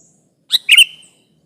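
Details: Lively sooty-headed bulbul used as a trapping lure to provoke rivals: one short, harsh double chirp, a brief note followed by a louder raspy burst, in otherwise quiet surroundings.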